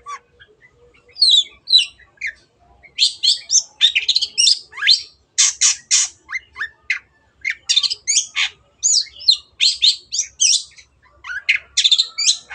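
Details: Vigorous long-tailed shrike song offered as a lure for birds that have stopped singing: a long, jumbled sequence of scratchy chatter, sharp chirps and buzzy notes running almost continuously after a brief quiet start.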